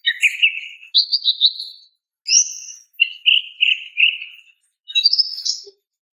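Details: Female greater green leafbird calling for a male, alternating whistled phrases at different pitches with runs of quick chattering notes and short gaps.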